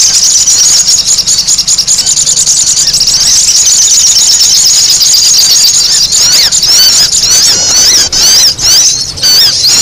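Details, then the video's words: Sogon making a loud lure chatter: thin high squeaking throughout, turning into sharper zigzag chirps toward the end, with faint low hum beneath. "SUARA SOGON RIBUT UNTUK PIKAT"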